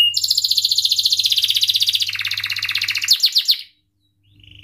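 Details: Canary rolling song, sung to teach young canaries: a long fast even trill gradually dropping in pitch, a few louder sweeping notes, then a short silence and a soft tail of buzzing.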